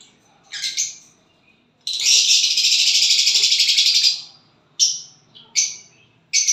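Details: Violet bird singing and chirping around a partner: a high-pitched sharp chirp, then a fast buzzy trill lasting about two seconds, followed by three brief bright chirps.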